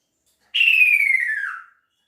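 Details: A male kaso-kaso bird calls to his female with one clear whistled note of about a second that falls steadily in pitch and fades at the end. No other sounds are heard.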